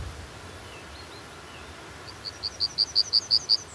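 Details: Yellowhammer singing a rapid series of about eight short, high repeated notes that swell in loudness, beginning after a quiet stretch with a faint hiss in the background.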